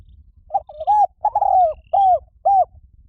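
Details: Soft cooing of a spotted dove played to lure wild birds, a stuttered introductory coo, one long downslurred note and a pair of short arched coos, with faint low rumble throughout.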